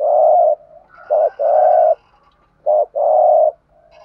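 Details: Decoy spotted dove calling to lure wild doves, giving low, hollow coos in a broken phrase: two short notes, then longer drawn-out coos with brief pauses, all at a steady mid-low pitch.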